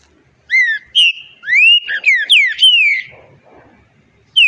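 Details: One long varied phrase from a green-winged saltator, mixing upward-rising whistles, short falling notes and a drawn-out slurred ending, loud and clear against a quiet background.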